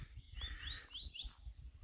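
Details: A caged male seedeater (papa-capim) is taken out into the bush to get him fired up for singing, and sings well: a quick series of four thin, whistled notes, each sliding upward, in about a second, over low rumbling background noise.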